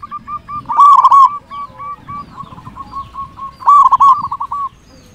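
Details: Zebra dove, local bird singing hard, used as a decoy for wild zebra doves; soft clipped coos run into two loud, rolling bursts of rapid notes, with faint low rumbling behind.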